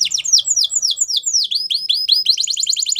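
Belgian canary singing high, bright, sweeping notes that slide downward about four times a second, then break into faster rolling trills and chirps.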